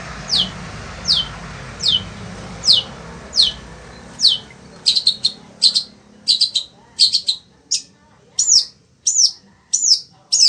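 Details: Sembur-type long-tailed shrike kept as a pet, singing continuously in the heat: evenly spaced falling whistled notes that turn into faster, harsher chattering phrases, with faint background hiss.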